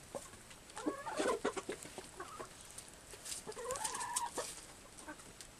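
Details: Chickens in an aviary, recorded with a compact camera, giving soft clucks and a drawn-out rising cackle amid rustling and faint background noise.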